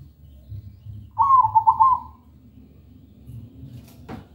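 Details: Local zebra dove (perkutut) cooing loudly and melodiously, used as a lure to coax other doves that are not yet singing. A single rolling, stuttered coo phrase lasting about a second, over a low steady hum.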